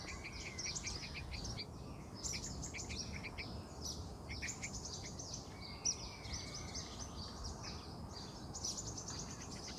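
Yellow-vented bulbul chatter: quick, bright chirps in uneven bursts, with a soft rising whistle midway, over a steady low rumble of background noise.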